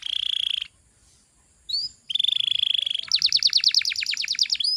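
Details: Canary song played as a lure to prompt young canaries to start singing: a steady high trilled tone, a pause with a brief upslurred note, then the trill again, breaking into a fast run of sharp repeated chirps.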